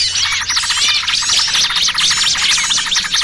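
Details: Lure sound for trapping small birds: rapid, bubbling chatter of high chirps and looping whistled notes, several birds calling over each other in a loud, continuous flurry.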